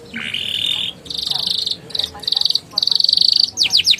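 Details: Canary song used to prompt young canaries to sing: rising slurred note into sustained buzzy rolling trills in several bursts, ending with quick descending whistled notes.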